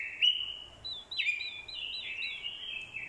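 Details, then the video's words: Short burst of fighting song from an orange-headed thrush decoy answering a female's call. Sweeping whistled notes are followed by a flowing run of small looping phrases. "Chim Quế lâm mồi, hót đấu cực hay. kèm tiếng quế lâm mái, kích trống hót đấu hay."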